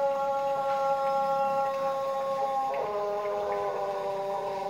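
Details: Pelung chicken giving its prized long crow ('kokok panjang'). A sustained, richly harmonic tone is held steadily, then drops slightly in pitch partway through and carries on to the end, indoors with low background hum.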